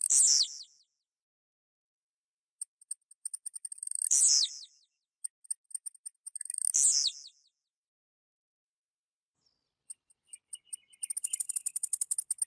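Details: Blue-black grassquit in centre-west Goiás, Brazil, giving three short, high, buzzy, descending phrases a few seconds apart, with faint ticking notes and a fast high trill at the end.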